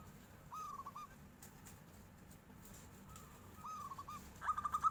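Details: Local zebra dove, kept bird, singing in response as a tofu seller passes: short whistled cooing phrases, then a quick run of rising staccato trilled notes near the end, over low background noise.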